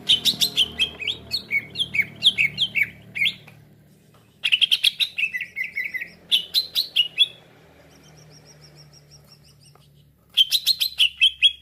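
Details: Green leafbird call used as a trapping lure that draws fast responses from other birds: several bursts of chattering, downslurred whistles and chips separated by pauses, with faint steady background hum.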